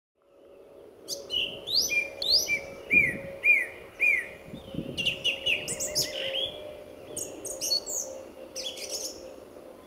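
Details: Lively male song thrush singing his heart out at RSPB Fowlmere in February 2014, early morning as the sun was about to rise; a short clear phrase is repeated four or five times, then more varied high, busy phrases follow.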